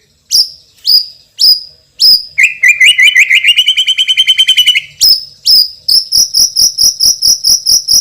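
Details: White-rumped shama, a champion songster with a loud, powerful voice: sharp rising whistles repeated about twice a second, then a fast buzzy trill, then rapid regular cricket-like pulsed chirping.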